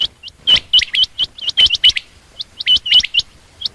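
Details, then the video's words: Female quail calling: short, sharp, high notes in quick pairs and clusters, tightly packed and partly overlapping, with steady clicking between them over a quiet background. "common quail/Rain quail sound)chinga batair ki Awaz)Звук самки перепела)صدای بلدرچین)صوت السمان"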